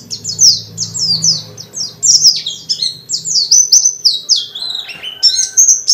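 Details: White-eye of the pleci dakun type in dense, many-phrased song used to make other white-eyes sing: continuous high sliding whistles and twitters over a low droning hum during the first half.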